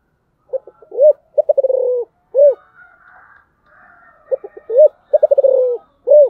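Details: Spotted dove singing in the special giọng thổ style: two phrases, each opening with soft stuttering notes, then a strong arched coo, a fast rolling run of pulses, and a final arched coo. Fainter bird calls sound between phrases.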